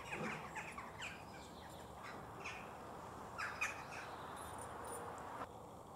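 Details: Western jackdaws in a village, atop a church and elsewhere, giving short, sharp 'tchak' calls, several in quick, irregular bursts over a steady background hiss.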